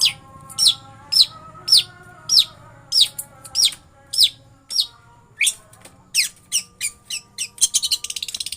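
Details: Long-tailed shrike (pentet) in full ngeroll song: clear, sharp, downslurred notes spaced about half a second apart, gradually quickening into a fast rolling run of rapid notes near the end.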